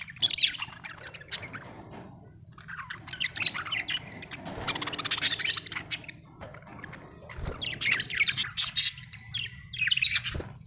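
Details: Budgerigar chirping: bursts of high, scratchy warbling chatter in several clusters separated by quieter gaps, with a low steady hum running underneath.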